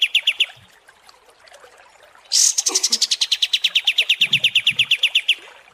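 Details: Kapas tembak singing for a training recording for contest birds: a few quick high notes, a quiet gap, then a sharp start into a long, fast run of evenly repeated bright chips.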